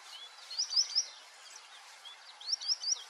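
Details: A wild white-faced whistling duck (Dendrocygna viduata) in the Pantanal gives two bursts of three clear, high whistles, each burst quick and even, over a soft steady background hiss.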